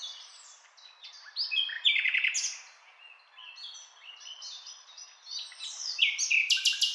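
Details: Common nightingale (Luscinia megarhynchos), song.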